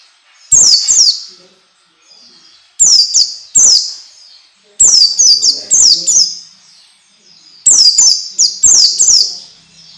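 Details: Training song of an orange-headed thrush, meant to get young birds singing fast and often. Paired and clustered high, descending whistled notes repeat through the recording, separated by short quiet gaps.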